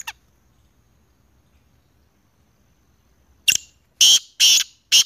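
Black francolin giving a loud, harsh, grating call: four rasping notes, half a second apart, after a few quiet seconds.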